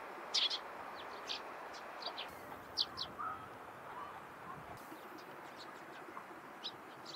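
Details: Eurasian tree sparrows in the morning give a few sharp, high chips, a brief cluster at the start and another midway, then sparser faint notes over a constant low rumble of ambient noise.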